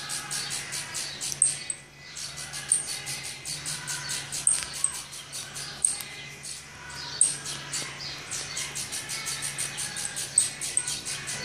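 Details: Saffron finch nestlings begging while being fed in the nest: a continuous series of fast, high, hissy pulses with a few sharper peaks, over a constant low electrical hum.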